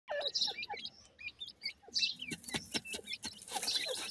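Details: Grey francolin (dakhni teetar) pair with their chicks: a busy jumble of thin, high, hooked peeps and short upslurred cheeps, some lower chirps mixed in, with clicks and rustling throughout.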